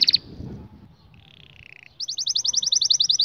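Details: Canary singing a training song for young canaries. A short high burst, then a low buzzy roll falling slightly in pitch, then a fast, evenly repeated high trill of sharp notes. A faint low rumble sits underneath.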